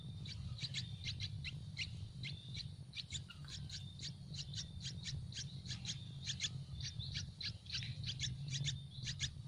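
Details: Hungry baby Yellow-vented Bulbuls begging for food in a nest in a tree, a rapid string of thin high squeaky chirps, some paired, continuing the whole clip over low background hum.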